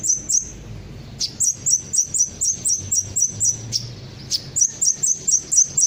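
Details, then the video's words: Kolibri ninja sunbird chirping as a lure to prompt other birds to answer: high sharp notes repeated steadily about four per second, with one brief pause midway, against a low background hum. "pancingan suara burung kolibri ninja pasti langsung ikut bunyi"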